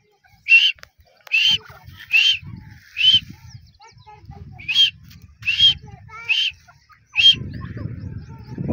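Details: Female grey francolin gives eight short, sharp, high notes, repeated roughly every 0.8 seconds, with low rustling noise toward the end.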